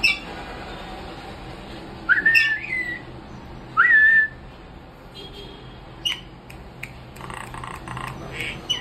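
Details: A pet common myna, kept as a talking bird and prompted by its owner to whistle, gives two loud, clear whistles, each sliding upward and then levelling off, about 1.5 seconds apart; faint chatter and clicks follow.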